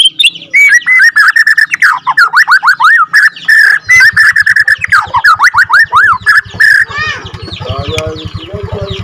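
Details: Captive-bred second-generation Borneo white-rumped shama singing a long rolling song used to provoke other shamas: loud, rapid whistled and buzzy phrases, many sharp down-up sweeps repeated quickly, with a low rapid pulsing hum from four seconds on.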